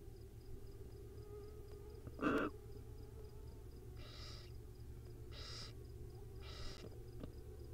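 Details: Wild owlets on a live nest camera at dinner time: a brief loud scratchy sound followed by three softer, hissing screeches spaced about one and a half seconds apart over low background hum.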